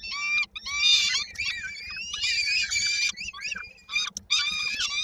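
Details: Peregrine falcon young in Koszalin, Poland, 19 May 2022, calling while waiting for the mother to bring dinner: long, strained, wailing screams with wavering pitch, broken by short pauses, above a constant low hum.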